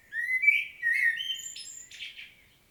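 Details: Common blackbird solo, Świnoujście, Poland, recorded 25 September 2022: smooth low fluting notes leading into higher whistles and a brief scratchy twittered ending, fading out.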